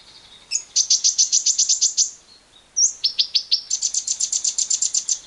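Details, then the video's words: Lovebird 'ngekek' song meant to provoke other lovebirds into singing: two long bursts of fast, shrill chattering notes, each repeated several times a second, separated by a brief gap and a swooping whistle. "Pancingan JITU Lovebird Bisa Ngekek panjang bersama burung liar"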